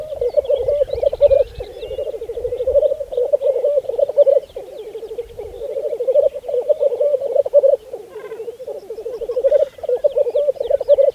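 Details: Lekking black grouse in spring 2014 on Saaremaa, Estonia, giving continuous low rolling, bubbling coos in overlapping phrases. Faint higher twittering sits above, with a low rumble early on.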